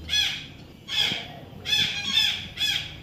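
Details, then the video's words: Young parrot, named as an Indian ringneck, during taming: a string of five loud, raspy harmonic squawks spaced under a second apart, close to the recorder. "natural funny parrot sound"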